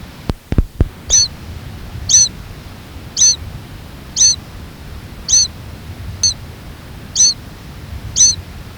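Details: A downy-headed Mourning Sierra Finch fledgling, just out of the nest and perched on a rock wall near Putre, Chile, around 17 April 1994, incessantly gives a high, screechy begging note about once a second while the father hovers nearby with food; a few low thumps at the start.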